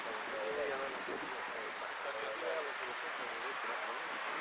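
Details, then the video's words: Finch of the 'amarillo de repique' singing style competing at the Nuevo Irupe contest; very high, thin notes: sharp downward slurs, then a long rapid bead-like trill sliding slightly down, then more quick falling slurs. Faint low murmur, possibly voices, beneath. "Amarillo de Repique Concurso Nuevo Irupe"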